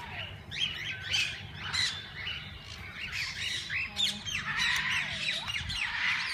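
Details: Parakeets of various kinds in a walk-in aviary at a parrot park keep up harsh, overlapping squawks and rapid chirps in bursts about every second, a busy flock din with no pause.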